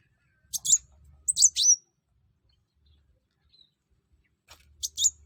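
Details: Short, high, slurred whistled phrases from a Brown-throated sunbird singing to stir other birds, in three brief clusters separated by silence, with a faint low rumble beneath.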